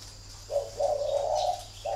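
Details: Caged thổ-type spotted dove at a bird farm in Ba Vì, Hanoi, Vietnam, calling in a fighting bout; a low, hoarse, drawn-out coo with a short rising start and a fresh note cut off at the end.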